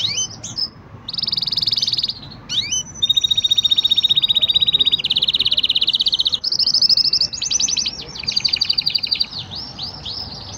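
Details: Green canary singing a varied song of fast rattling trills at shifting pitches, separated by brief upslurred notes, with steady low background hum.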